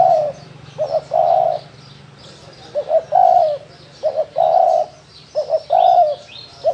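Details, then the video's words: 'Thổ đồng' cooing of a spotted dove: repeated phrases of two quick soft notes leading into a drawn-out mellow coo, roughly every 1.3 seconds, with a low hum beneath and faint chirping birds higher up. "Tiếng chim cu gáy thổ đồng gù cực hay cực chất"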